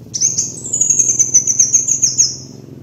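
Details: Kolibri wulung sunbird master lure song, one sustained, very high and piercing trill lasting over two seconds, gently falling in pitch, with a low hum beneath.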